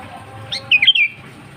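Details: Sooty-headed bulbul (kutilang) in lively 'gacor' form, used as a lure call for wild birds: a single short phrase of a sharp upslurred note then three bright, warbled whistles around one second long, over faint low background hum.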